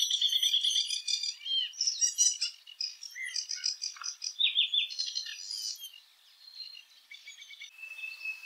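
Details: A Eurasian penduline tit (Remiz pendulinus), a European bird, sings a busy run of thin, very high twittering notes and short trills, fading near the end into a single drawn-out whistle.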